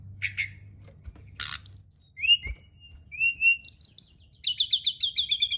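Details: Brown-chested jungle flycatcher singing at night, used to stimulate other birds to sing: varied high whistled notes, downslurred glides and a fast run of repeated chirps near the end, with short pauses between phrases.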